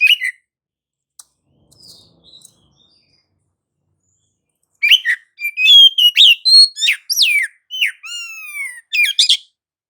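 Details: Oriental magpie-robin singing gacor ngerol, played as a lure to provoke other magpie-robins into song: a few soft notes, then a dense burst of loud whistles, downslurred swoops and chattered notes over several seconds.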